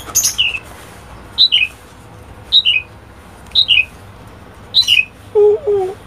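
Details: Pet common starling giving short two- to three-note squeaky calls, a sharp high note slurring down into a buzzy lower one, repeated roughly every second, followed by a lower warbled note at the end.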